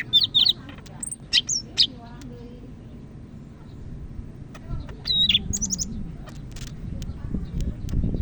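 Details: Greater green leafbird of the Medan type, North Sumatra, giving keen "gacor" song: a few quick looping whistles at the start and again later, with quiet stretches and low rumbling background noise between.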